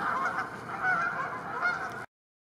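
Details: Flock of Canada geese in a pasture in northern France, feeding as a group, honking continuously in a dense, overlapping chorus for two seconds before the sound cuts off abruptly.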